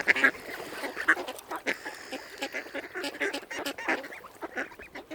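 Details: Mute swans calling at a nature reserve on Lough Neagh, County Armagh: a few loud nasal notes open, followed by scattered softer honks from several birds.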